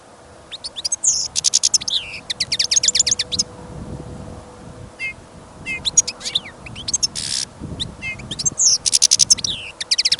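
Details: European goldfinch in a cage, taken along on a trapping trip in fresh snow and gusting wind, sings confidently. Repeated rapid phrases mix liquid twitters, ticking notes and buzzy slides, nearly continuous. Steady wind noise sits below.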